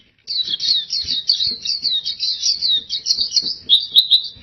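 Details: Oriental white-eye (pleci) pouring out a gacor song: one long, continuous stream of high, tinkling, rapidly modulated notes that keeps a steady pitch and pace without a break.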